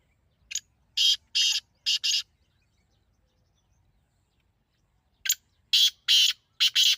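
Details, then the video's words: A partridge repeats its call twice: each phrase is a short lead note followed by three or four loud, rough bursts, separated by about three seconds of quiet. "تیتر کی ایسی آواز جو آپ نے پہلے کبھی نہیں سنی ہوگی"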